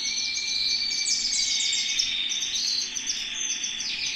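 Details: Canary in song perched in someone's hand: unbroken high, fast trilling and warbling, with a steady whistled tone underneath and quick descending rattles partway through.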